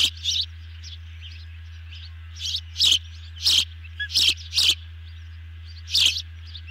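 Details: Ospreys at a nest on a camera, evening of 18 June 2020, while one bird delivers a big fish dinner to two others; sharp, high chirping calls in short bursts, repeated irregularly about every half second to second, over steady low hum.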